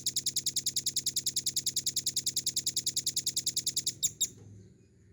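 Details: Velvet-fronted nuthatch in a cage-bird training recording, pouring out a rapid, regular trill of shrill high notes for four seconds, closing with two louder notes and a soft low rumble behind.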